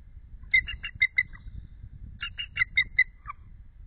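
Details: A female eagle off her egg at the nest, cooling it shortly after midnight on 8 February 2013, gives two bursts of thin, high chittering of six or seven quick piping notes about a second apart, with her mate calling back, over low rumble.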